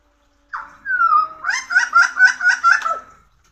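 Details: Pied butcherbird singing a long whistled glide that descends slowly, then breaks into a quick run of six or so repeated warbling notes at an even pitch. The phrase ends with a short dip, in a quiet setting.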